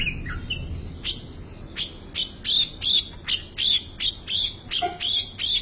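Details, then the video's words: Long-tailed shrike singing a full isian song, packed with varied borrowed phrases: harsh, buzzy high chattering notes repeated roughly every half second after a few softer chirps at the start, with faint background hum. "BURUNG CENDET FULL ISIAN"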